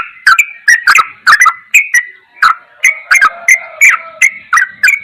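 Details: Sooty-headed bulbul in a masteran training recording of the ropelan goklikan style: short bright chirps near one to three kilohertz, repeated roughly once a second in an uneven, jerky series, with no other sounds.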